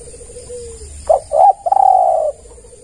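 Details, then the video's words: Spotted dove call used to lure and draw responses from other doves: a faint low coo, then two short clipped notes and a long, steady, slightly falling coo, all low-pitched. "Pancingan Tekukur Semua Pasti Merespon"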